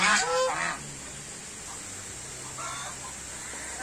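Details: White domestic goose, among many geese, gives a loud, harsh honk at the start, followed by fainter nasal calls over a steady background hiss.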